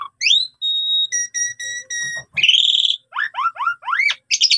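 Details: Asian pied starling in lively song full of imitations, meant for training: rising whistles, a long pure whistled tone, repeated clear piping notes, a harsh buzz, then a run of swooping whistled slurs.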